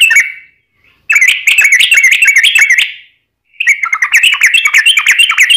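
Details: Yellow-vented bulbul in lively 'ropel' rolling song meant as a lure: quick chains of gurgling, wavering whistled notes in two long runs divided by a short silence.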